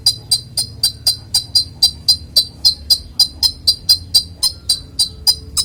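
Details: Konin (Van Hasselt's sunbird) song in clear voice: a steady series of sharp, very high ticking notes, about four per second, each note crisp and alike, with little else heard.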